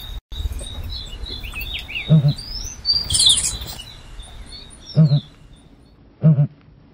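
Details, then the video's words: Low, resonant grunting booms from a southern ground hornbill, three short double-pulsed notes spaced unevenly, with bright twittering and whistled notes of smaller birds above and a soft rural hum. "Bird funny, nice sound ,southern ground hornbill"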